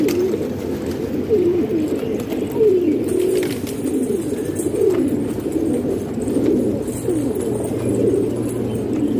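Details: Pigeons kept in a house in Pakistan: repeated low throaty coos, each a rolling swell roughly every second or two, layered from more than one bird over a steady hum.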